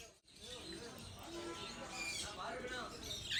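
Lovebirds keep up a busy, shrill chatter of squeaks and raspy chirps, overlapping with no steady rhythm, over a faint background hiss.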